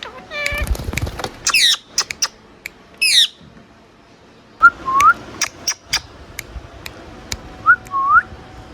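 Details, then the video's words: Indian ringneck parakeet kept as a pet: harsh squawking bursts at the start, then short rising whistled chirps repeated a few seconds apart with soft clicks between. "Beautiful Ringneck Parrot Talking | Natural Talking & Chirping Sounds"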